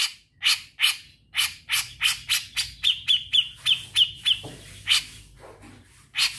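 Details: A Grey-cheeked bulbul in full song gives a rapid trilling run of harsh, buzzy notes, about three a second, with a clearer high whistle threading through the middle.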